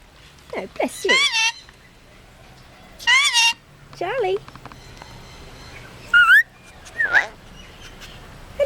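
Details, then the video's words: Captive red-collared lorikeet mimicking speech, saying "bless you" after sneezing and meowing like a cat: wavering, nasal, voice-like phrases and high squeaky sweeps in short bursts, with a person talking quietly between them. "Bird says 'Bless You' after sneezing"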